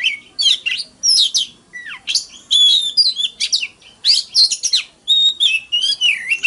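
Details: Fighting song of an Oriental magpie-robin in the morning, dense and continuous: bright whistled notes sweeping up and down, buzzy trills and quick chirps, nearly without pause, ending on a wavering whistle.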